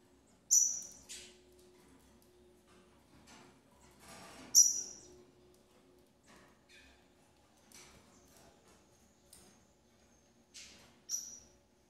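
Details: A female double-collared seedeater caring for her chicks. Three loud, piercing, high whistled notes sound several seconds apart, each followed by a softer echoing note, with faint scattered clicks between them.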